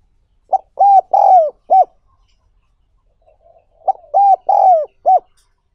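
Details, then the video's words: Spotted dove, recorded for training newly caught wild doves, giving two cooing phrases about two seconds apart; each is a short note, two longer level hoots with the second sliding downward, then a short closing coo. The background is quiet. "60 Phút Tập Chim Cu Gáy Bổi Mỗi Ngày"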